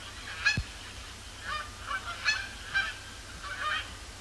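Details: Incoming Canada geese circling, then landing on Sapsucker Woods Pond at the Cornell Lab of Ornithology, Thursday evening after sunset on 12 October 2017 under heavy overcast; loud nasal honks come in bunched pairs, about seven across four seconds, with one low thump.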